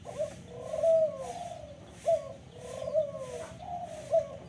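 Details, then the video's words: Local spotted dove cooing: soft, low hollow coos in repeated phrases with a brief accented note, over steady background hum. "burung puter lokal"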